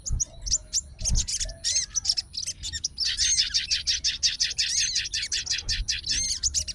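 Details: Sooty-headed bulbul of fighter type, responding at once to another bulbul's song and calling a challenger. It gives scattered chirps and curved whistles, then a sustained fast chatter of bright repeated notes.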